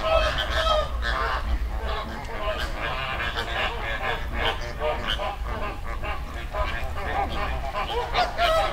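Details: Wild flamingos gathered as a flock in a river, Dominican Republic. Many birds give a continuous stream of short honking, gabbling notes, roughly two or three per second, over a constant low background rumble.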